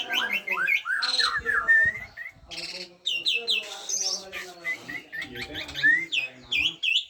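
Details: Asian pied starling singing busily, blending clear upward and downward whistles with harsh noisy bursts and quick chatter in uneven rhythm.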